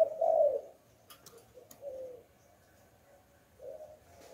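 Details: Spotted dove in the 'Hạp Bổi' voice style, used as a lure call for wild doves: one fuller hoarse coo, then several softer, low coos spaced over a few seconds, with faint clicks and a quiet background.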